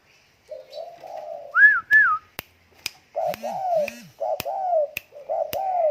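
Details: Spotted dove, tame, cooing in low, rounded two-part phrases, interleaved with pairs of high descending whistles, a pair of low whistled slurs, and several sharp clicks.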